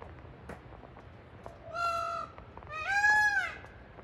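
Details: Indian peafowl, a male peacock at dusk in trees by a canyon creek: two loud, nasal, wailing calls, the second longer and rising then falling, over a low background of flowing water.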